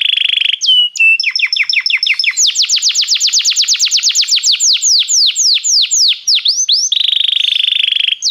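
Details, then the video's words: Belgian canary singing, meant to warm up other canaries: a sustained high buzzy trill, then rapid runs of short descending notes, faster rolling trills and sweeping whistles, ending in another steady buzzy trill; loud and clean. "canário belga muito lindo cantando, aqueça seu canário imediatamente"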